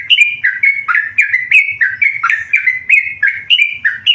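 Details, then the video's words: Energetic song of a tame yellow-vented bulbul: loud, continuous gurgling whistles rolling up and down in quick succession, barely pausing, over a quiet low background rumble. "burung trucukan gacor jinak"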